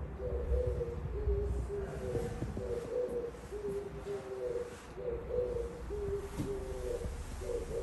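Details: Oriental turtle dove singing outside a window: low, soft cooing phrases repeated steadily through the recording, each a short run of hollow notes, over a constant low rumble.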